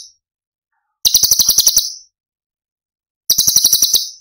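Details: Cucak cungkok tembakan: two high buzzy chattering bursts of rapid clicks, each under a second long, separated by a pause of about a second.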